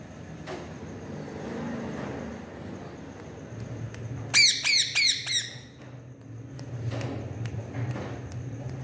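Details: A parrot in conversation with its owner lets out a fast run of about four harsh, rasping squawks midway, bunched together within about a second, then quiet room noise with a low hum.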